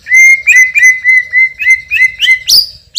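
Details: White-rumped shama, champion bird with a loud voice, repeating a clear steady whistled note about three times a second, ending in a sudden harsh high burst.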